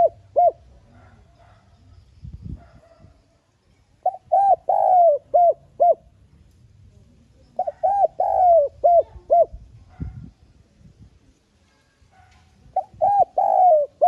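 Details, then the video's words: Spotted dove lure call to attract doves: the same cooing phrase of short coos around a longer slurred note, repeated three times with pauses of about three seconds. "Tiếng Cu Gáy Mồi GỌI THÚC NHẸ GIỌNG"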